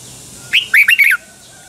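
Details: Red-whiskered bulbul, caged, from Pa La-u in Thailand, giving a phleng boen phrase: one rising slurred note followed by three fast looping, liquid warbles, all within about a second.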